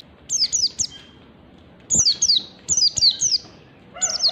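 An Oriental white-eye sings bursts of very high, thin, down-slurred twittering notes, grouped in quick clusters with short pauses between them.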